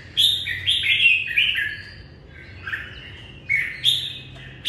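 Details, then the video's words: Greeting the morning, a red-whiskered bulbul delivers quick, bubbling whistled phrases with rising and falling slurs, a brief lull, then more bright, sharp notes. "Chào mào hót chào ngày mới"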